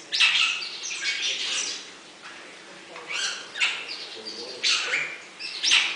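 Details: At Avifauna bird park, Alphen aan den Rijn, a Bali myna (Leucopsar rothschildi) gives harsh, scratchy chattering calls in short bursts: a long rasping phrase first, then brief squawks every second or so.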